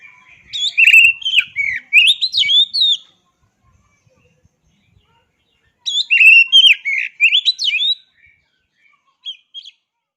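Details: Oriental magpie-robin, kacer, singing in bursts of rich varied whistled phrases with rapid warbles and sharp notes, about two seconds each, separated by silence, a short faint phrase near the end; no other clear sounds.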